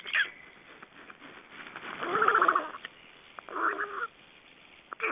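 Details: At an Estonian black stork nest on 31 May 2012, amid feedings, a partner change and delivery of nest material: loud grating, nasal calls with layered overtones, one long harsh burst midway and a shorter one after, plus scattered clicks.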